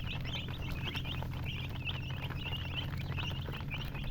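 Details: Several domestic chicks chirp nonstop, their thin high peeps tumbling over one another in quick succession against a constant low background drone.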